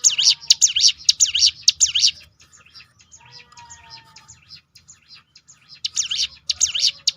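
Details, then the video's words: Ciblek gunung, or hill prinia, with its 'tembakan' roll played to make other birds sing: a quick run of high swooping notes, a pause filled with faint chirps, then the fast burst returns. "roll tembakan ciblek gunung memancing bunyi burung lain"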